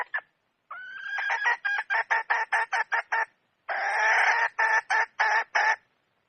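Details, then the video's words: Red junglefowl hen cackling loudly: a long rising note breaking into quick staccato clucks, a pause, then a harsh drawn-out squawk followed by more evenly spaced cackles. "Suab poj qaib qus seev zoo heev"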